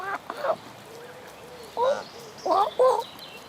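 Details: Canada geese with goslings on the South Pond in Midhurst, West Sussex, England, give short, harmonic, nasal honks: a pair near the start, then several separate clusters later in the clip, with faint high notes above.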